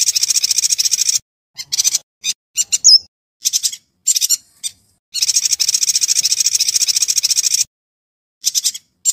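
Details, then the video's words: Yuhina in full song, recorded as training audio for white-rumped shamas: long, dry, high rattling trills broken by short chirping bursts and one clear whistled note, with silent gaps between phrases. "MASTERAN BURUNG YUHINA GACOR"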